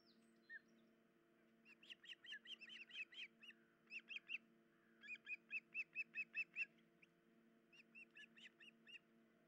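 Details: Nesting osprey with chicks, one parent's leg injured, early morning 10 July 2019: repeated bursts of quick, sharp whistled chirps in runs of up to nine notes, separated by short pauses, over a steady low hum.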